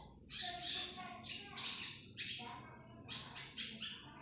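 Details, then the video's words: Common iora giving a series of harsh, raspy, broadband bursts, each under half a second, about seven in four seconds, high-pitched and scratchy with short gaps between, fading slightly toward the end; no other clear sounds. "Burung sogon"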